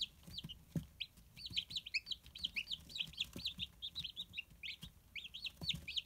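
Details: Healthy day-old Silkie chicks peep steadily on 12 May 2018, a busy chorus of high, sharp, down-slurred cheeps coming several per second from multiple birds, with light tapping and scratching sounds in the background.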